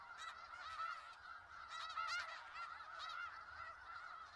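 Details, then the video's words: Snow geese flock in Skagit Valley producing an unbroken clamor of short nasal honks, dozens of voices blending, a few sharper calls rising above the rest. "Sounds of Snow Geese"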